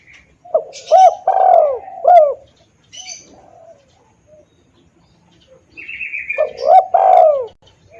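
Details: Spotted dove calling as a lure to attract wild doves: a phrase of short rounded coos and one long descending coo, then a quiet gap, then a repeat. Brief high chirps from other birds.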